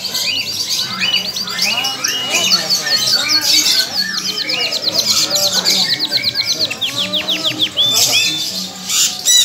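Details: Young canary, described as a colourful bird still in its adolescence, singing a dense, continuous stream of rapid chirps, rolling trills and sweeping high notes with hardly a pause; a faint low hum underneath.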